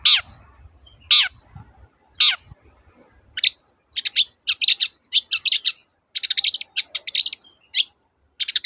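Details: Long-tailed shrike in full 'toet-toet' voice, intended to prompt silent shrikes to sing; three harsh falling notes give way to a rapid run of short, varied chattering phrases, with a low rumble early on.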